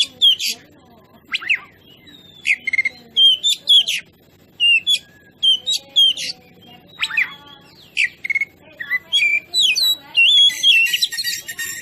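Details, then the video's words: Oriental magpie-robin in lively song, meant to make other birds agitated: a long series of short clear whistled phrases spaced evenly, growing into a dense chattering warble at the end. "Dijamin emosi dan ngobra dengan masteran kacer ini"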